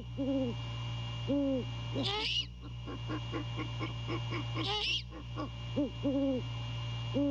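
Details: Great horned owl male at the nest after 2 AM in mid-January 2022, calling to his mate during courtship. Deep paired hoots repeat, set against two harsh rasping bursts, rhythmic pulsing calls and constant low hum.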